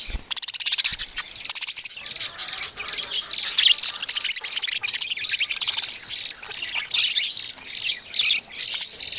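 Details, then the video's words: Chattering of budgerigar babies, a continuous high, raspy twittering with rapid pulsed chirps and occasional louder squeaky notes, steady throughout without a clear break. "Cute budgie babies sound"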